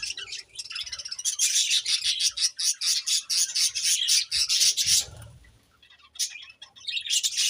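Budgerigars chatter in a dense stream of high, scratchy chirps and warbles.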